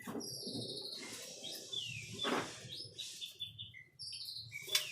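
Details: ['Rich whistled song of a white-rumped shama, with held high notes, quick slurs and a few harsh buzzy bursts, over faint low background hum.']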